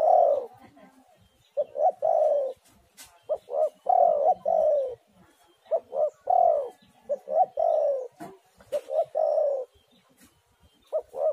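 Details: Indonesian spotted dove song played as a lure to prompt other doves to sing: soft, hollow coos in grouped phrases, a short note followed by a longer sliding coo, repeated several times with gaps.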